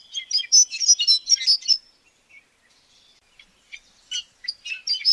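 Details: Common starling pours out a fast, chattering medley of high squeaks, clicks and warbled notes, breaks off for a moment, then returns with scattered chirps and twitters.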